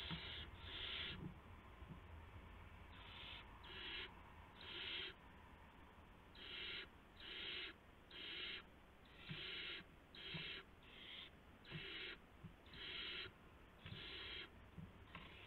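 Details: Owls just after midnight on March 19, 2016, during food deliveries to owlets. A long run of about fifteen harsh, breathy hissing bursts, each about half a second, repeated roughly every second, over a quiet hum.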